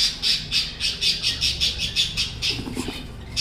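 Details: Cockatiel aviary with budgies and a newly hatched chick: rapid, evenly spaced shrill squawks, roughly three each second, with a brief low murmur near the end.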